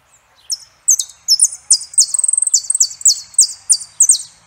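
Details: Song of a saffron finch, a dense run of high, bright, descending notes with a short quick trill in the middle, delivered almost without pause.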